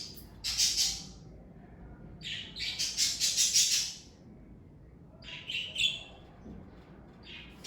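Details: Several pet parakeets of one family chatter in rapid bursts of scratchy, high chirps. Three noisy spells are separated by brief quieter gaps, and the second spell runs longest with fast, stuttering notes.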